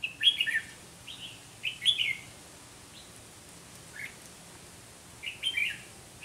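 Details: Red-whiskered bulbul competitive singing during trapping with a caged decoy: crisp chirpy phrases in groups, single sharp notes between, and a final warbled burst.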